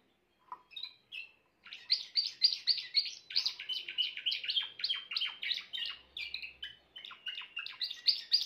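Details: Song of a grey Timbrado canary, a few soft introductory notes followed by a long, continuous rolling trill of rapid, bright pulses, steady and high, with slight shifts in tone along the way.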